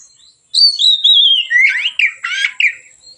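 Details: Relaxed singing of a white-rumped shama, played as a training lure: a sustained falling whistle, then buzzy, rapid downward-sweeping notes and a harsh burst.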